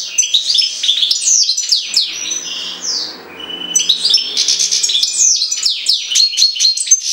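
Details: Lively, liquid twittering from a European goldfinch associated with Jagodina, quick chirps and drawn-out nasal slurs, easing briefly before resuming with rapid descending chirps.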